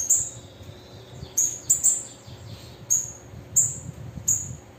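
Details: Female sibite (bananaquit) calling: short, sharp, very high-pitched chip notes given singly at irregular intervals of roughly half a second to a second, with a soft low rumble in the background.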